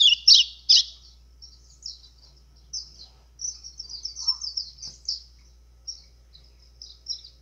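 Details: Azulão-style song of a White-throated seedeater, played to excite birds, opens with two loud, piercing chirps, then continues with softer, scattered high twitters and short trilled phrases in uneven spacing.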